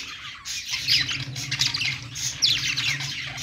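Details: Budgerigars kept as pets warble on their perch, a continuous buzzy chattering broken by short squeaky, descending chirps in bursts, over a steady low electrical hum.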